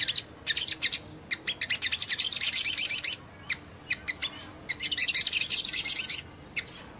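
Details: Olive-backed sunbird singing to provoke other sunbirds into song: a bright, rhythmic series of very high chips and clicks building into two dense, buzzy high trills, each about a second long.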